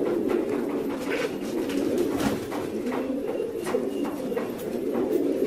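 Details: Fancy pigeons keep up a thick, low cooing drone from many birds, with repeated clattering taps and wingbeat-like bursts mixed in.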